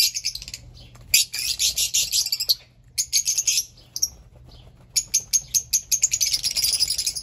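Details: Fischer's lovebird chatter: dense runs of sharp, piercing chirps, some rapid and pulsed, broken by brief silences across the recording.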